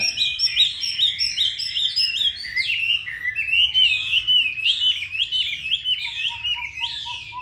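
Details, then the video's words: Hanoi Chinese hwamei with a fine voice delivers a rich run of varied whistled notes, looping and swooping phrases repeated almost twice a second, ending with a few soft low pips; slight background hum. "Mi đẹp vn9966. Giọng hay"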